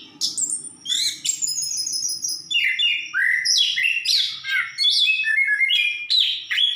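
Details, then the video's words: Orange-headed thrush in lively song, mixing high descending whistles with a long run of jumbled, rapid chirps and slurred notes, over faint low rumbling. "Burung Anis kembang gacor"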